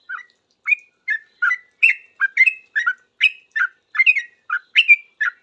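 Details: Sooty-headed bulbul answering other bulbuls with a noisy, energetic song: a continuous series of short liquid whistles, rising and falling slurs, roughly three phrases each second.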